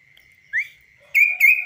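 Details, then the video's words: Trained, tame kaso-kaso bird on the hand with no cage: one short rising whistle, a pause, then three bright whistled notes close together, against a faint continuous high tone. "BURUNG KASO KASO GACOR DI TANGAN TANPA SANGKAR"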